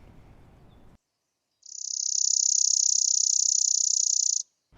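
Chipping Sparrow gives a rapid, dry, high-pitched trill of even chips held steady for about three seconds, after a moment of faint background hiss.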